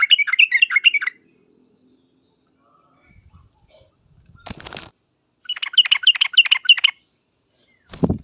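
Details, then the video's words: Yellow-vented bulbul (trucuk) in sharp 'uplik uplik tarong ropel' song used as a lure for other bulbuls; two brief chattering bursts amid a rustling noise burst and low thumps. "trucukan gacor uplik uplik tarong ropel tajam ini menjadikan burung trucuk gacor nyaut seketika"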